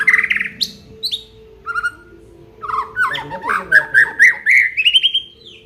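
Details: Full repertoire song of an Aceh white-rumped shama. High buzzy notes and a short whistle lead into a long rising run of looping slurred notes, over a steady low background hum.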